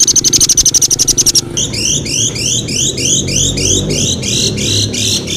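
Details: Songbird in a training recording of varied filler phrases meant to tutor competition birds such as magpie-robins and bulbuls; rapid high ticking series, then repeated bright rising whistled notes about every half second, over low background hum.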